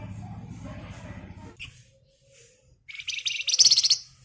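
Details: Javan white-eye in energetic 'ngebren' song, used as a lure for songbirds: after quieter low rumbling and a pause, a loud dense buzzy chattering trill of rapid repeated high notes lasts about a second.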